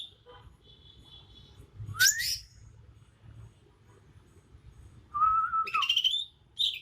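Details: Kalimantan leafbird, a young bird still gaining the black head and neck spots of an adult, singing its natural song: a thin steady tone, a sharp rising sweep, then a wavering whistle and a rising buzzy phrase.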